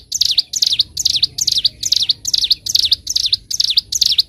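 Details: Bar-winged prinia (ciblek gunung) singing lively on a long, clear training recording for birds, ngebren and nembak style: a steady run of shrill, V-shaped whistled phrases, roughly ten of them, each about half a second apart.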